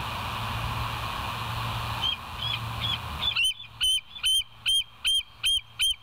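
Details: Bald eagle calling at the West End nest, filmed by a live nest camera on 20 July 2023 around 05:04; faint piping notes emerge from steady wind-like hiss, then a clear series of high, sharp, slightly squealing notes repeats about twice a second.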